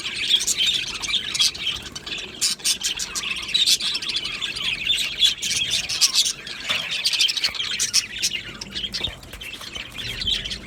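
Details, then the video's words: An aviary colony of Australian budgies sings and chirps nonstop: a busy wall of high twittering, squeaks and rapid clicks, thinning briefly near the middle before building again. "Beautiful Budgie singing and chirping sounds | Budgie parakeets sounds"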